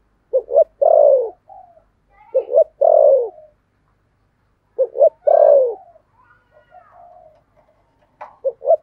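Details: Decoy spotted dove singing in the 'thổ' style to draw in wild doves. Paired short notes lead into a long descending coo, repeated with gaps. Soft higher whistles sound in the background.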